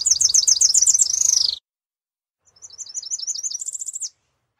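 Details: Tropical parula (Setophaga pitiayumi) song: a fast, high, buzzy series of notes rising into a sizzling trill, given twice with a brief pause between.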